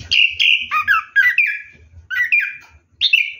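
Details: Orange-headed thrush's rolling ngeroll song during a night bath: clear whistled phrases, many falling or slurred, given in quick bursts about every third of a second, with one short pause.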